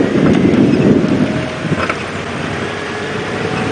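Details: Low engine rumble and wind buffeting the microphone during a drive, fading slightly, with no animal voice heard.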